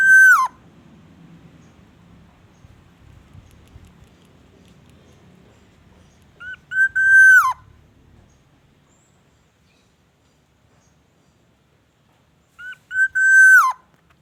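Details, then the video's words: Black-naped oriole in vigorous song, with a repertoire that includes imitations of the white-rumped shama: three loud, fluty, harmonic-rich whistles, each held level and then dropping at the end, spaced several seconds apart over a quiet background. "SUARA BURUNG KEPODANG EMAS GACOR BONGKAR ISIAN MURAI BATU"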